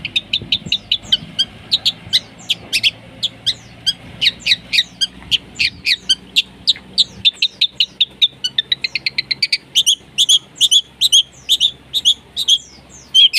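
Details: Long-tailed shrike singing a rough-material song used as a lure for silent birds: a steady series of sharp, short chipping notes about three per second, speeding into a denser burst around the middle, with a faint low hum early on.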